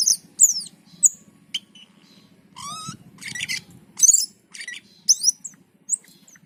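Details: Black-and-white bulbul in energetic song, giving sharp, slurred whistles that sweep downward, a clear rising whistled phrase, and buzzy chatter, with notes spaced irregularly. A low droning hum continues in the background.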